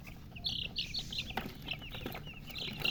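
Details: Newborn chicks cheeping loudly, bright, high, slightly buzzy chirps tumbling one after another with a short tap or knock near the middle and low background noise.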